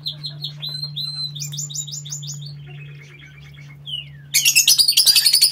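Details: Lovebirds kept in a home aviary, chattering: rapid series of sharp high chirps and short whistled notes, then a burst of loud harsh shrieks near the end; steady low hum underneath.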